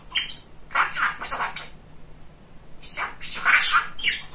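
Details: Talkative male pet budgerigar chattering indoors in two scratchy, squawking bursts of babble split by a quiet gap of about a second, with the later burst louder and more rapid.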